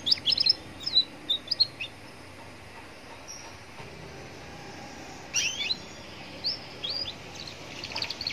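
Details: Roadside recording of a young canary singing to provoke replies from other canaries: a burst of sharp high chirps at the start, a long quiet gap, then another cluster of quick whistled notes, over soft street hum.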